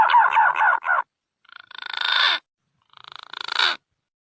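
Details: Green pigeon calls used as a lure for catching birds: a short burst of wavering whistled notes, then two rasping, buzzy growls that swell in loudness, separated by silence.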